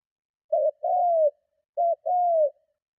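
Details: Spotted dove in strong provoking coo to draw other doves in: two phrases, each a brief wavering note followed by a sustained, slowly dropping coo, low and resonant against silence.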